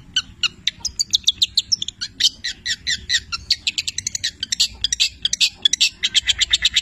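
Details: Long-tailed shrike, 'petir' type, delivering a mimicry-filled tutor song of labet and canary phrases: a continuous stream of fast, high twittering chirps and short trills with no pauses.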